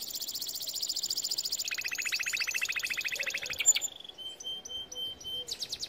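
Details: Canary song for training young canaries: rapid mechanical trills at high pitch, then a lower buzzing roll, a brief sharp note, and short clipped whistles with pauses.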